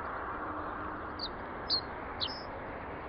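A common reed bunting gives a brief song of three or four thin, high notes, the last a quick slurred flourish, over a steady rushing background of wind or distant traffic.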